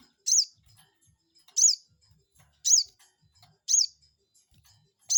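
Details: Crested jay calling as a lure to rile an opponent and draw an instant reply: five short, shrill, descending notes repeated roughly once a second.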